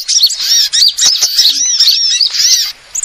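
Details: Sunbirds of several kinds used as a lure sound to attract birds: dense, high, overlapping twittering chirps and short slurred notes, almost continuous, stopping briefly near the end.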